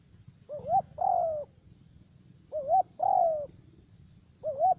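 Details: Three-note voice of a spotted dove decoy used for trapping in U Minh, Cà Mau province, Vietnam: a wavering rising coo followed by a longer falling coo, repeated about every two seconds against a quiet background.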